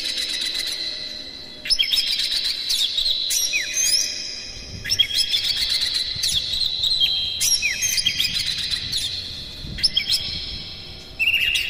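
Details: Oriental magpie-robin morning song, used to stimulate captive birds: repeated bursts of high whistles, sharp upward sweeps and rattling trills, each burst starting abruptly every couple of seconds over nearly twelve seconds.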